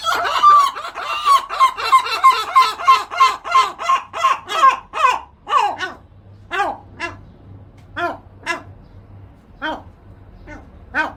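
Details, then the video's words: Gulls calling in a protesting duet: harsh, nasal calls in a fast run of about three per second, then slowing to single spaced cries over a quiet background. "funny seagulls | a duet protest"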